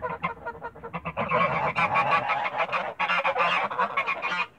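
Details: Backyard flock of Toulouse geese giving loud, raspy honks in quick, irregular bursts, many voices overlapping into a noisy clamor with brief pauses near the middle and end.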